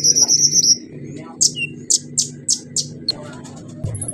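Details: Orange-headed thrush singing a lure to set silent birds singing: a high trill, then sharp loud chirps repeated about four per second, over a constant low hum.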